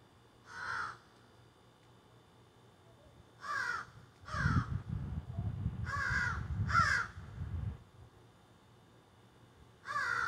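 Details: Crows squawking from trees behind a gardener, caught on a cell phone: scattered hoarse caws, some in quick pairs, with a stretch of low rumbling noise in the middle.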